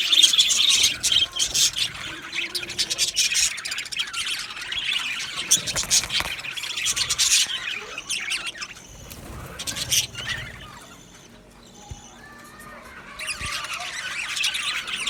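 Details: Male budgerigars in a colony aviary, 8 December 2025, chatter in busy high chirps and squawks, then fall to a quieter lull of a few seconds before the scratchy twittering swells again.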